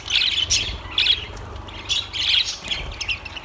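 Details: Lovebirds sound off in short clusters of shrill chirps, roughly one burst per second, with a low hum throughout.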